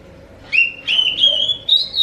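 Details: Oriental magpie-robin (kacer) song as a lure for other magpie-robins: after a brief pause, a series of clear, sustained whistles holding steady then climbing slightly, repeated in quick linked phrases.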